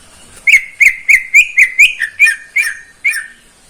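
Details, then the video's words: Morning song of a caged greater green leafbird owned by a neighbour: about ten rich whistled notes in quick succession, each with a sharp upward flick, delivered at a fairly even pace. "Kicauan cucak ijo di pagi hari"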